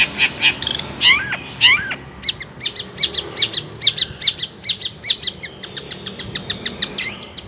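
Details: Long-tailed shrike delivering a song stuffed with Cipaku and swiftlet imitations: a few looping whistles, then a rapid, even series of short sharp chips, roughly four per second, ending in high notes.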